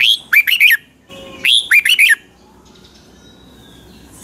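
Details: Red-whiskered bulbul of the Pa La-u type, Thailand, singing the 'double' song style. Two loud back-to-back phrases, each a rising note and three quick tumbling notes, then a quiet stretch with a faint thin whistle.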